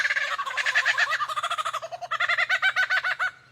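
A superb lyrebird gives a rapid, stuttering run of rich, nasal notes, about ten a second, in two bursts that sound almost like a gobble.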